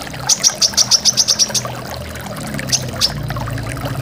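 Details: A brown-throated sunbird (kolibri kelapa) gives a fast run of about nine high, sharp chip notes in just over a second, then two more, over steady waterfall sound.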